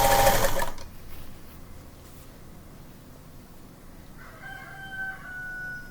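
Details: Early on an autumn morning, a rooster outdoors crows once near the end, a distant drawn-out tonal call, after a brief loud indoor clatter and quiet room hum.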